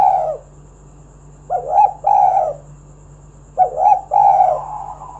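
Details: Spotted dove singing continuously to encourage other doves to sing: two repeated phrases, each a brief lead-in coo then a fuller rolling coo, about two seconds apart, low and mellow over a faint hum.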